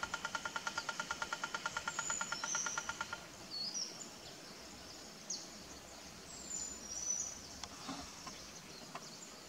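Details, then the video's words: Speckled piculet drumming on bamboo, a rapid even roll of about twenty-five hollow taps over three seconds, to attract a mate or advertise a territory; faint high chirps of other birds continue after. "Speckled Piculet Drumming on bamboo to Attracting a mate/Advertising a territory"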